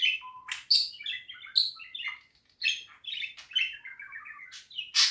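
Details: A pet budgerigar warbles in a mix of whistled notes, buzzy chatter and sharp clicks, with a brief pause midway before the rambling song resumes and ends on a loud harsh note.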